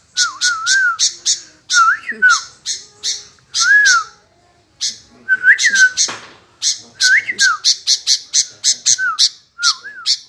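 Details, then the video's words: Sooty-headed bulbul (kutilang) in gacor, eager nonstop singing: short liquid whistled phrases rising and falling, interleaved with rapid bursts of sharp, high, chattering notes repeated several times a second, with brief pauses. "BURUNG KUTILANG GACOOR"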